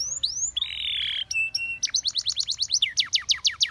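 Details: Canary of a Russian singing line, song meant to attract other canaries: a rising whistle, a sustained steady tone, then a rapid repeated series of sharp descending notes, roughly three per second or faster.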